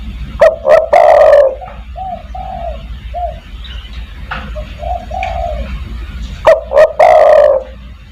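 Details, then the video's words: Spotted dove, a recording used to call other doves, with a few loud, harsh bursts followed by soft, mellow low coos in short repeated phrases. There is a steady low hum in the background. "burung DERKUKU tekukur master gacor kuk 1 sangat mewah untuk memanggil teman"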